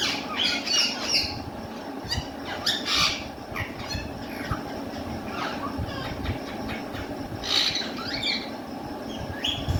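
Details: A caged rose-ringed parakeet, reportedly talking in Urdu or Hindi, makes harsh squawks and squeals in irregular bursts, louder near the start and around seven and a half seconds, over a continuous noisy background.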